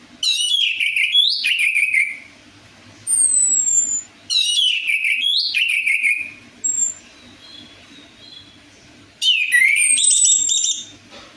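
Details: Orange-headed thrush lure song meant to prompt a bird that seldom sings: repeated loud phrases of rich warbling and descending whistles, each about one to two seconds long, interspersed with thin high single notes and short pauses.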